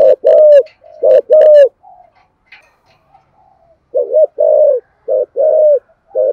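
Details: Spotted dove thúc gù cooing in the thổ voice, to prompt other doves to coo. Two strong phrases, then soft murmurs and a pause, then a fresh series of deep, rounded coos with short clipped notes before longer falling ones.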